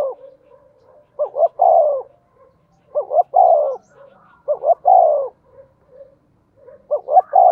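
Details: Spotted dove used as a lure for wild birds, cooing at fast tempo; four phrases of a brief doubled note then a long mellow falling coo, evenly spaced about every 1.7 seconds.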